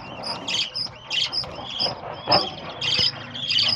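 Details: Lovebirds in a caged breeding colony with babies, many birds overlapping in shrill high chirps and squawks, constant busy chatter over a low background hum.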